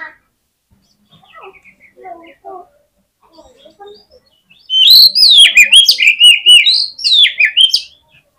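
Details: Fighting song of an Oriental magpie-robin, meant to excite competing birds; faint scattered notes at first, then a sudden loud, energetic stream of bright whistles, trills and quick slurred sweeps.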